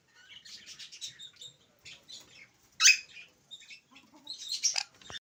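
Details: Alexandrine parakeet, a pet that talks in Urdu and English, mutters soft, scratchy syllables, then bursts into a loud, harsh squawk, followed by quieter chatter and a final rasping phrase.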